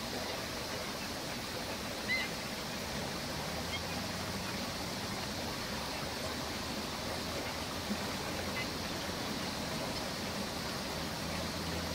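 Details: Steady rushing water or wind noise fills the whole recording, with no clear animal call standing out.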